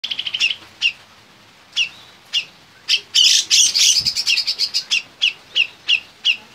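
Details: Black-crested bulbul (cucak jenggot), a popular competition songbird, singing loud clear notes: a series of bright whistled phrases repeated about every half second, swelling into a dense rapid burst of chirps midway before returning to spaced phrases.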